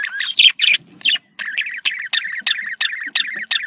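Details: Budgerigar chatter to stimulate breeding in pets: harsh opening squawks, then a steady run of similar chirps repeated about three times a second.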